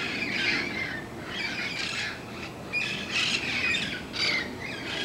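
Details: Morning squawking of protected red-crowned parrots heard every day outdoors: rough, grating calls in repeated bursts roughly once a second, with a few brief whistled notes between them.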